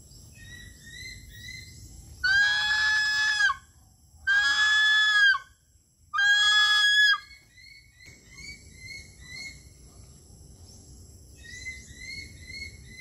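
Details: A male, human-imprinted captive Philippine eagle at a breeding facility in Davao City, Philippines, on June 29, 2023, gives three loud, drawn-out, ringing screams. Each lasts about a second, two seconds apart, over soft small-bird chirps and insect hum.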